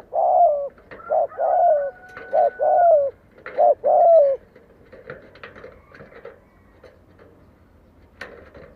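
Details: Spotted dove decoy luring wild doves in to fight: a quick run of about six deep coos in under five seconds, then quieter clicks and faint distant noise.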